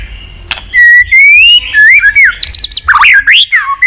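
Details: White-rumped shama kept as a pet in Vietnam, singing to excite other shamas: a sharp click, long rising whistles, then fast swooping high warbled notes, loud and varied.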